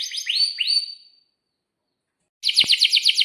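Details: Atlantic canary in breeding condition, its song used to coax young canaries to sing: three upswept whistled notes, a second of silence, then a click and a fast high rolling trill.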